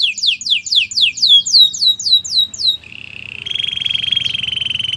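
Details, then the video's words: Training song of a canary: quick repeated descending whistled syllables for nearly three seconds, then a sustained buzzy rattling trill that grows louder and holds steady to the end. "Your canary will sing a lot if he hears this"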